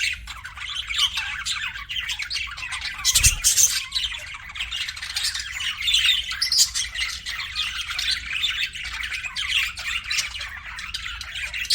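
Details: Pet budgerigars keep a steady raspy warble of chirps and squeaks, broken by a sharp clattering knock early on.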